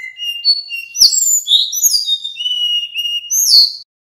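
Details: Male little pied flycatcher in continuous nyeklek song, meant to draw replies from other birds: four seconds of high whistled notes. Level tones alternate with rising and falling slurs, punctuated by one sharp click.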